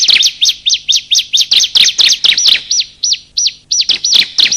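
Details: Bar-winged prinia, male and female, calling in a lure recording meant to set silent birds singing and to attract wild birds: a fast series of high, thin whistled notes, roughly one and a half per second.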